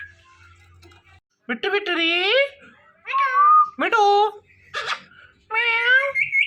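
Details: Ringneck parrots, a male and female pair, mating in front of a mirror indoors: loud, wavering, meow-like calls with rich harmonics, four main calls in quick succession, broken by a short raspy burst.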